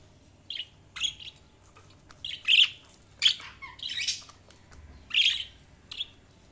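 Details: Budgerigars chirping indoors: short, high, scratchy chirps and squawks in irregular bursts about every half second to second, some overlapping, against a faint steady background hum.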